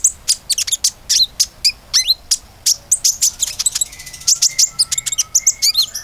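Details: Common iora in vigorous song, played to encourage other birds to sing: rapid high clicks and chirps, quick downward slurs, then a busier stretch with a steady, thin lower whistle running underneath.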